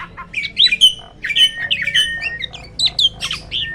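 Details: Loud Black-winged starling calls: squawky, harsh notes interleaved with short bright whistles and chatter, delivered in quick irregular succession without pause.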